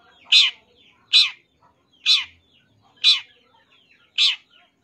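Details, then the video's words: Champion long-tailed shrike singing a full isian filler song: five harsh, clucking notes spaced about one second apart, each a loud burst dropping in pitch, with a quiet background. "MASTERAN SUARA BURUNG CENDET FULL ISIAN CENDET JUARA"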